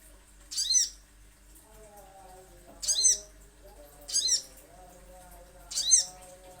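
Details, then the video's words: Little spiderhunter, used as a lure recording to prompt cage birds to call: four loud, sharp, high, downward-sweeping notes spaced about one to two seconds apart, over a faint, lower, wavering tonal hum. "Pancingan Sogon ~ Sogok Ontong Pasti Bunyi"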